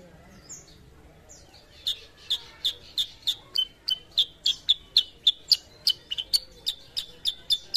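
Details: Sooty-headed bulbul, a raw bird being conditioned to sing often: a few soft sliding notes, then an even series of about eighteen sharp, high, chipping notes delivered in quick succession.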